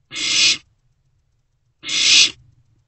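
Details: Two drawn-out hissing screeches about a second and a half apart from a young barn owl in a nest box at night, around a freshly delivered rodent.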